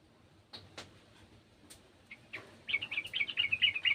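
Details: Sooty-headed bulbul of gardens, joining an untrained bird: a few scattered clicks and a single note, then from the middle a lively run of loud, bubbly, whistled notes to the end.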